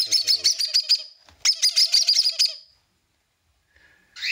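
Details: A baby cockatiel, fully weaned, begging for food in the background while baby conures are hand-fed: rapid bursts of harsh, raspy high chirps, about three per second, in two runs separated by a brief pause.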